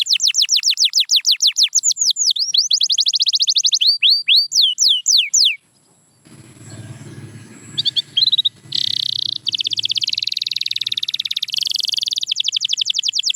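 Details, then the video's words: Canary song of repeated descending swoops and chopped whistles, broken by a few seconds of low rumbling noise, then resuming with fast rolling trills and buzzy tours. "Watch Silent Canaries Start Singing Again"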